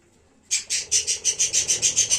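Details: Pet budgerigar colony, recorded 1 January, giving a run of about ten harsh, buzzy chirps spaced evenly a little under every quarter second after a short quiet start.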